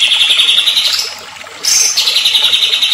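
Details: Agitated white-rumped shama delivering a fast, even, high trill, a short pause, then a brief higher note running into the same rapid trill again; a lure recording for stimulating shama song.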